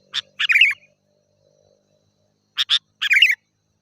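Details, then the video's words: Sooty-headed bulbul singing, played to lure wild birds: two quick sharp notes then a bubbling, gurgling phrase, given twice with a pause of nearly two seconds in between, otherwise quiet. "Suara Burung Kutilang Gacor"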